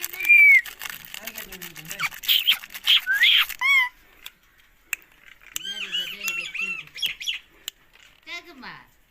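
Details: Green Indian ringneck parakeet chattering to its owner: a shrill squawk, then harsh buzzy bursts and a clipped, mumbled talking phrase, pausing before softer nasal syllables and a final scratchy note.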